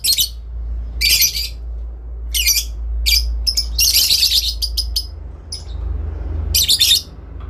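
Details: Adult lovebirds in long ngekek chatter, answering each other: rapid series of rough, noisy shriek bursts, closely spaced in the middle, over a constant low hum.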